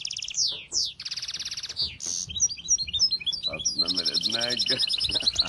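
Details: Varied bird song: high sliding whistles and buzzy rasps give way to quick twittering notes and a closing rapid high trill, with lower chattering beneath.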